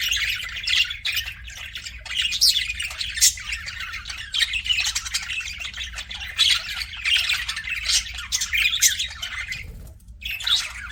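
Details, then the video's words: Pet budgerigars in a busy, overlapping chorus of harsh squawks and bright chirps, the chatter running nearly nonstop with one brief lull near the end, with a low hum throughout. "CUTE PET BUDGIES"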